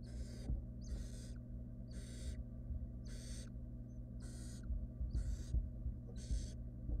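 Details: Nest-box barn owl chicks, wild, hiss-screeching as the female arrives with prey; seven long noisy rasps roughly once a second, steady camera hum underneath.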